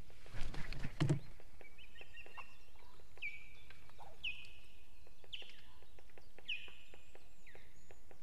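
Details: Osprey at the nest in fog, Estonia, 2 September 2018: after a few knocks, four thin whistles slur downward about once a second over a steady background hiss.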